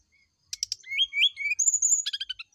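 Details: Morning song of a brown-chested jungle flycatcher, meant to trigger an answer: buzzy clicks, rising slurred whistles, a long high fluting note, then a rapid stuttering chatter.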